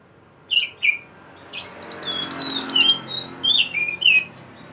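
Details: Pied bushchat singing vigorously, recorded as a tutor song for songbirds: two short whistled notes, then a rapid high chirping trill and further descending whistled phrases.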